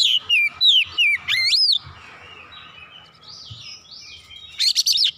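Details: Oriental magpie-robin in full voice, agitated and worked up, unloading its repertoire: rapid loud whistled phrases with sharp downward slurs and upswept notes, a quiet pause, then a burst of rich rising whistles.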